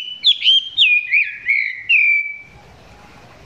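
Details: Caged Chinese hwamei recorded up close, singing not yet at full strength: a run of loud, clear whistled notes sliding and swooping between mid and high pitch, ending after about two seconds in quiet background hiss.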